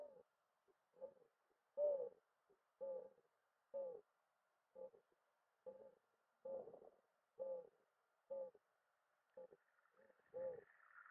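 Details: Mourning dove giving a long run of low, mellow hooting coos, roughly one per second, some louder and fuller than others, with a faint hiss rising near the end.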